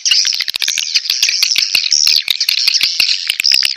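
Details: Mating call of edible-nest swiftlets, played to draw the birds into a nest house: a continuous high chatter of buzzy, scratchy chirps and quick clicks with no pauses, several voices overlapping.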